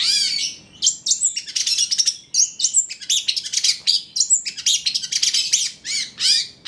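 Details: Lure and master song of a constantly singing long-tailed shrike ('cendet trotol'), played to make other shrikes sing: rapid, harsh high chirps and buzzy bursts packed together, with sharp whistled notes between, barely pausing.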